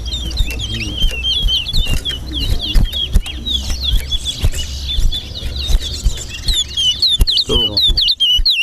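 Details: A chestnut-bellied seed finch (towa towa) sings a fast, unbroken run of sweet swooping whistled notes during a bird singing race at Linden, Guyana, while a crowd talks, counts and rumbles in the background.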